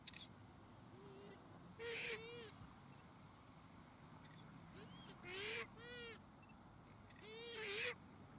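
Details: Australasian swamphen (pukeko) at Waterford park, Christchurch, April 2019: three loud, harsh, nasal rising-falling screeching calls about every two and a half seconds, over low background noise.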